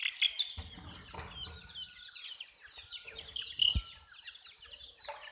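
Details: A brood of hen chicks peeping constantly, high downward-sliding chirps overlapping, with a brief low rumbling noise early on and a knock near the end.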